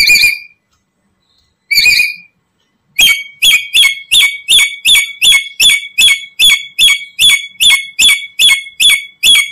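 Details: Black-capped lory used as a trapping lure for other lories: two harsh squealing screeches, then a fast run of about sixteen shorter, sharp, squeaky notes in quick, steady succession, loud and high-pitched, with no other sounds.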